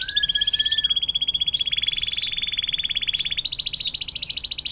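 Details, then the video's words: Canary performing long water-fountain style song meant for tutoring magpie robins and other songbirds: a brief descending whistle, then sustained rapid rattling trills with a clear upward pitch shift midway. "KENARI DENGAN LAGU AIR MANCURAN PANJANG"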